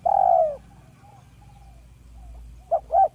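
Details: Village spotted dove lure call: one long soft low coo falling slightly at the end, faint murmurs, then two short coos, over a low background hum.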